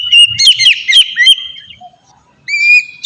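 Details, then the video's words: Oriental magpie-robin giving ngeplong song, used as a lure for magpie-robins: a brief run of quick whistled notes, silence, then one clear sustained whistle. "suara burung kacer ngeplong merdu sangat ampuh buat pancingan kacer bahan bikin cepat gacor"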